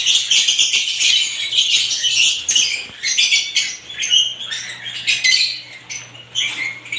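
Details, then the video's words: Different kinds of lovebirds squawking and twittering, a loud, harsh, high-pitched jumble of rapid squeaks that rises and falls roughly once a second, over a faint low hum. "ibat ibang klasing uri ng love birds sarap nilang pakinggan habang na humuhuni"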